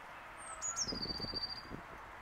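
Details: A blue tit sings a high thin opening note dropping into a fast, tinkling trill held for about a second, with faint low knocking sounds beneath it.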